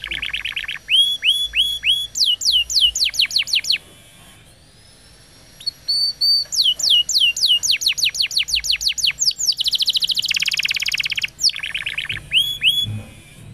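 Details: Canary song used as tutor material for young canaries and to prompt non-singing ones: fast series of repeated down-slurred whistled notes, high buzzy trills and rattling rolls, broken by a pause of about two seconds midway.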